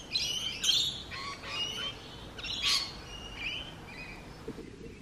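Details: A rapid tumble of rainbow lorikeet squawks and scratchy twitters, loudest at the start and fading toward the end.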